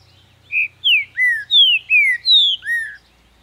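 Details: Captive green-winged saltator, a Brazilian wild bird raised in Ribeirão das Neves, Minas Gerais, singing hard: seven loud clear whistled notes, mostly sliding downward, delivered in a quick steady phrase over about two and a half seconds.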